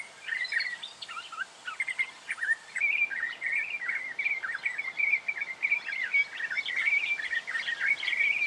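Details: Black honeyeater, Victoria, Australia, October 2011: long, busy chatter of rapid scratchy chirps and twittering notes that runs almost without pause, growing denser and louder after the first two seconds.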